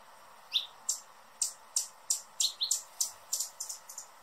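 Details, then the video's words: Hummingbird chipping rapidly: bright, high, clipped notes about three per second, several paired or tumbling together, with slight variation in pitch and loudness against steady low hiss. "Hummingbird sounds in 2021 | Calls and Song"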